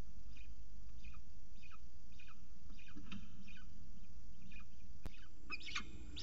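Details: At a camera-watched nest in Orange, NSW, peregrine falcons during a second breakfast feeding: regular short downward-slurred chirps, roughly four a second, then a louder harsher burst near the end, over a constant low hum.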